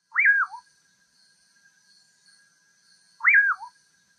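Two loud whistled phrases from a common pauraque, about three seconds apart, each sweeping sharply up then sliding down with a brief hiccup at the end; faint high insect hum behind.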